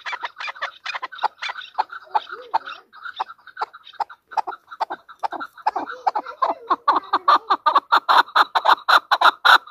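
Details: Hunter chukar calling in a busy, overlapping stream of harsh chuck notes that build toward a louder, more regular rapid series near the end.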